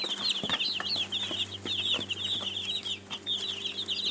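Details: Chicks giving insistent high peeps in quick runs, each note a sharp falling cheep, with a brief lull near the end and a low hum underneath.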